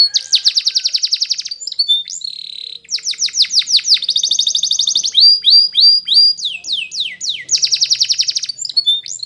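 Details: Song of a Belgian canary used for training, made of loud fast trills, chains of rapid downslurred whistled notes, and brief held tones, sung continuously.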